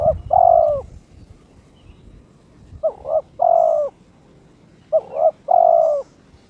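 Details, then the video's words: Caged spotted dove in breeding condition challenging a rival, three evenly spaced cooing phrases: a short hiccuping double note followed by a sustained, gently falling coo. Low rumbling noise at the start. "TERKUKUR TOKCER SUARA KRISTAL MENGUNDANG LAWAN/My turtle dove chirps challenging its opponent"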